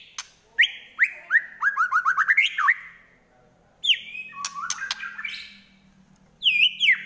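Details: White-rumped shama singing in fighting mood with a trotol-style phrase: a rapid run of about ten slurred whistled notes that speeds up, a pause, then loud sweeping whistles and a final burst of sharp notes.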